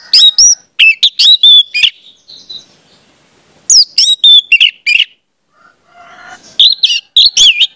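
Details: Orange-headed thrush song used as a lure to train young spotted birds. Three bursts of fast, sharp whistled notes with up-and-down slurs, separated by quiet pauses with faint rasping.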